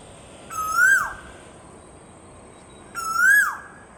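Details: Asian koel calling twice, each a loud, clear whistle that swells upward then drops away, the calls spaced about two and a half seconds apart against a quiet background.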